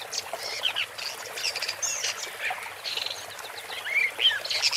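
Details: Varied warbling song of a woodchat shrike (Lanius senator): continuous scratchy chatter mixed with brief squeaky whistles and rasping phrases, fairly dense throughout.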